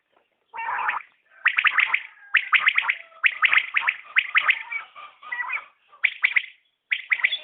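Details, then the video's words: Common quail: quick clustered chirped notes in repeated bursts, partly overlapping one another, with faint thin tonal whistles between phrases. "Batair Ki Awaz | Common Quail Calling| Naye Batair Ki Awaz|New Recording Common Quail| Batair sounds"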